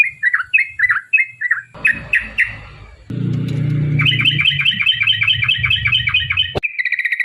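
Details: Yellow-vented bulbul song used as a lure to make other bulbuls sing: several falling bubbly notes, then an abrupt change to a fast run of chirps over a rumbling low noise, ending in another short burst.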